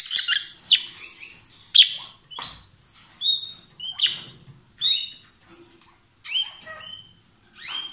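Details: Strong, busy song from a lovebird pair kissing and passing food: rapid, shrill, high chirps and squeaky notes, often downslurred, tumbling in closely spaced bursts throughout.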